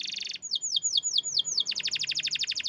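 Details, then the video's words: Canary singing a buzzy rapid trill, then a series of five descending sweeping whistles, then a fast rolling tour of repeated notes, all loud and clear. "Burung Canary Juara Top"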